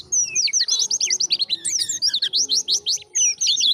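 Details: Indonesian white-eye giving a brisk 'ngalas' wild-style song to lure other white-eyes: a fast run of high, looping twittered notes, evenly pulsed and bright, with no other sounds.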